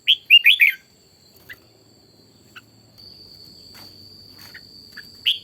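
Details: Red-whiskered bulbul, a decoy bird trained for morning singing, opening with a quick run of four bright whistled notes, then sparse faint ticks, and a single loud whistle at the end, over a steady high whine.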